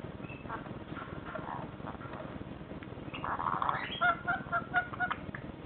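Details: Two rainbow lorikeets, on their second day in a new home after being taken in, give a fast burst of short, harsh, nasal notes, about four a second, after softer chatter, over a low background hum.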